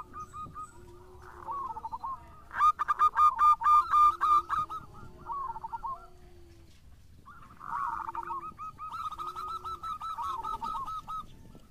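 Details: Singing local zebra doves, a lure recording: bursts of fast, high, bubbling coos, with one loud ringing run early and another softer chorus later, and low hums in the background.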